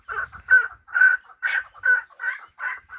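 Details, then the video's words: Hybrid fighting partridge (chukar) repeating harsh, throaty chuk notes about twice per second in a steady, pulsing rhythm, each note short and rasping. "Кабки Гибрид"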